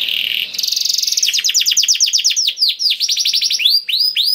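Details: Canary singing in a special, vigorous style meant to coax other canaries into song: a short buzzy opening, then a fast even trill breaking into separate high swooping notes that slow toward the end.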